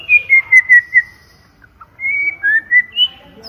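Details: White-rumped shama singing clear whistles: five quick falling notes, a short pause with two faint blips, then a rising series of slurred whistles.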